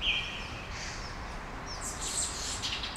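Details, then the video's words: Small birds at daybreak in Brasília, Brazil: a short whistled note at the start, then quieter high chirps and a bright, buzzy burst of twittering in the second half, over soft hiss. "Passarinhos ao amanhecer"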